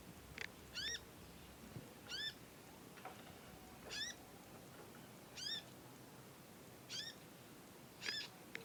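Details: Young conin learning to sing, with long chirpy calls; kept as a master track for training other birds. Bright, sharply bent chirps with ringing overtones come singly or in pairs about every second, over a steady faint hiss.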